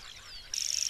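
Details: Common grasshopper warbler (Locustella naevia), a breeding bird of open ground with dense herbage, sedge and grassy meadows, reels its long-sustained breeding-season song: a very high, dry, insect-like trill of rapid even ticks after a faint thin descending whistle.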